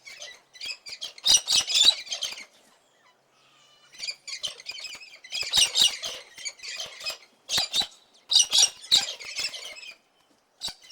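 A cockatoo gives harsh, raspy screeches in three noisy bursts a few seconds apart, with short quiet gaps between them.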